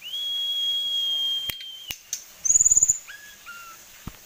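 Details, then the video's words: Tame kept sulingan gunung singing a varied song: a long steady high whistle held over a second, then a rapid buzzy trill, followed by short lower whistled notes with clicks between. "Sulingan Gunung / Tledekan jinak isian banyak"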